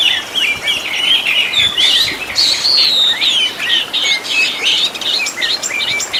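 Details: Oriental magpie-robin (kacer) training master with 'tembakan' fill-in phrases for caged birds: rapid chattering chirps, then long clear whistles sliding up and down, ending in quick sharp notes.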